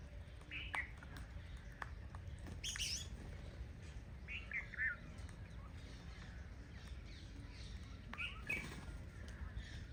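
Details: A crow that came to a village to eat grain gives a few short, harsh calls a second or two apart, over a steady low rumble of background noise.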